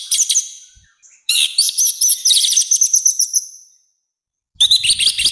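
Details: Orange-headed thrush, loud and rough song used to train and provoke birds: a short high burst, then a long stream of rapid repeated chirps and whistles that fades, and a final loud burst with faint low noise.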